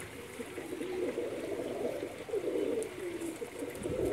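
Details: Several pigeons at a home loft in India give overlapping coos that form a continuous, throbbing murmur. The murmur swells louder toward the end, with a few faint clicks.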